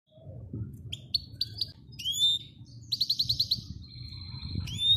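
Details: European goldfinch singing to a female during training: bursts of twittering notes, a rising whistled slur, a fast rattling trill of about six notes, then a steady buzzy tone and another rising whistle, over a low background hum.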